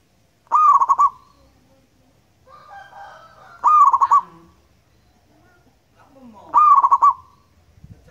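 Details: Local wild zebra dove, lure recording: three repeated song phrases roughly every three seconds, each a rising coo followed by a rapid run of pulsed notes, with soft rustling between phrases.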